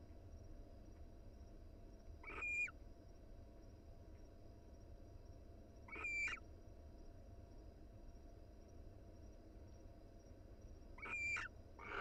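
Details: Wild barn owl pair cuddling inside their nest box; three short, harsh, rasping calls with a faint whistled core, spaced about four to five seconds apart, over a steady low hum.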